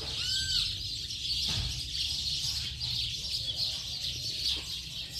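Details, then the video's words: Late-afternoon flock of house sparrows, a steady blur of many high chirps, opening with a smooth down-slurred whistle, plus a short low bump and persistent low background hum. "Bando de Pardais Cantando Baderna de Final de Tarde!!!"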